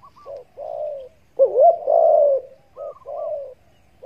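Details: Spotted dove cooing used to attract doves during hunts: gentle drawn-out coos with a louder, quavering central note, then paired softer coos, in a quiet setting.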